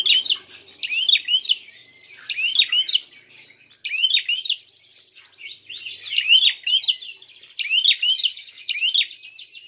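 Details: Prinia fighting call used as a lure: regular, sharp, high chirps with quick upward twangs, repeated about once a second in short groups, with buzzy trills in between.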